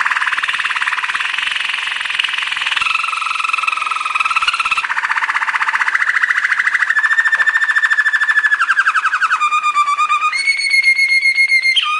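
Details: Waterslager canary training song: continuous rolling trills shifting between pitch levels in blocks, ending in clear whistled tones with bright overtones.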